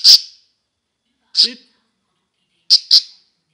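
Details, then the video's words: Budgerigars at play give isolated sharp high chirps, one, then another after over a second, then a quick double note, with silence between. "Wellensittiche am Spielen"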